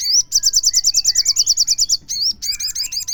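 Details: Loud crimson sunbird song used as a lure to make other sunbirds sing: a fast, steady trill of about seventeen high, buzzy looping notes, a brief pause, then more quick sizzling notes, clear against a quiet background.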